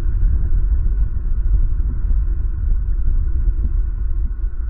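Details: Heavy, steady low rumble like a passing engine, filling the whole recording with no animal voices.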